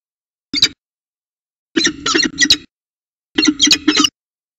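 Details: At a peregrine falcon nest holding eggs in Orange, CSU, New South Wales, on 5 September 2020, three bursts of strident, squealing calls are heard: a short one, then two longer chattering runs, separated by silent gaps.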